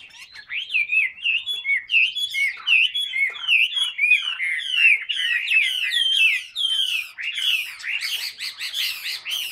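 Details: Caged Chinese hwamei, the bird on the left, fanning its tail and flicking its wings while running through its full song: loud, rapid, varied whistled phrases with slurred rising and falling notes, rolling trills and sharp chips, delivered almost continuously.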